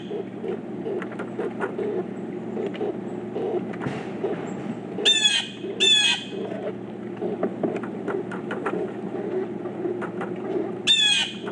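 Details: Pileated woodpeckers, four birds together, calling with short harsh stacked bursts, three bursts spaced a few seconds apart among scattered faint clicks and a constant low hum.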